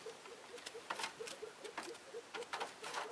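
A female Elliot's pheasant gives a steady run of soft, low clucks, several each second, over crisp rustling and pattering footsteps in leaf litter.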